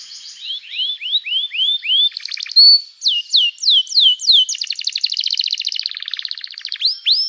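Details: Canary in long nonstop song, played as therapy for canaries that have stopped singing: slurred whistles, a rattling burst, a series of loud rising-falling swoops, then a fast buzzy trill.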